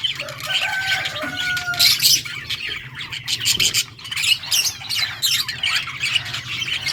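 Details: Yellow budgerigars chirping: continuous scratchy high warbling and squawks, a few brief whistled tones early on, with a low hum running throughout.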